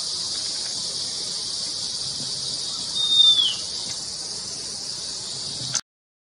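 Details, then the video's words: Long-billed wren-babbler in the Mishmi Hills, Arunachal Pradesh: a single thin, high whistle sliding slightly downward, against a loud, steady hiss of insects. "Long Billed Wren Babbler"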